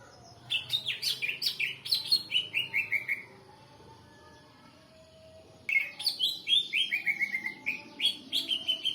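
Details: Greater green leafbird song used as a lure to make birds respond: two loud bursts of rapid, bright descending whistled notes, each run sliding downward over about three seconds, separated by a quiet gap, with faint background hiss.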